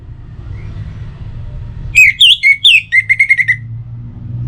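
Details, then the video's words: Whistled song of an Orange-headed thrush, a morning and evening lure for other birds: a few swooping slurred notes followed by a fast, even trill of short whistles, over soft low background noise. "Pancingan Suara ANIS MERAH Untuk Pagi dan Sore Hari Agar Burung Jadi Tambah Gacor"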